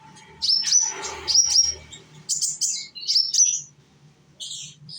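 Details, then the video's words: Young sunbird singing as a lure to draw other sunbirds into song, from Indonesia: thin, high twittering phrases with quick slurred whistles, in bursts separated by short pauses, over a faint low hum. "konin, Humming bird of Indonesia."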